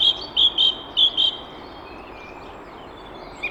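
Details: Male song thrush singing from a tree near a hedge in the early morning, recorded from a hide: a short series of five clear, high repeated notes in quick succession, then quiet background hiss.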